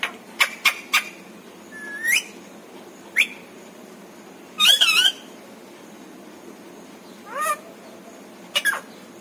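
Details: Pet parrot, said to speak words such as papa, mummy and Radhe Radhe; scattered sharp clicks, then short rising squawky syllables and a buzzy, wavering burst, separated by quiet pauses over a faint steady hum.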